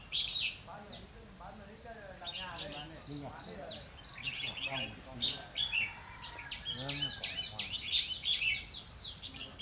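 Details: Red-whiskered bulbul decoy singing a fighting song during a trapping session on 12 November 2016; bright, quick whistled and warbled phrases tumble out in bursts, growing denser toward the end, with human voices murmuring underneath.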